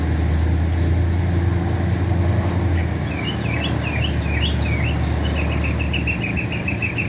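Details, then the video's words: Northern mockingbird in America with a mix of rapid twisting, up-and-down phrases, then a quick even series of about ten repeated chips, set against loud continuous road noise. "Bird Making beautiful Sounds, in America, Mockingbird"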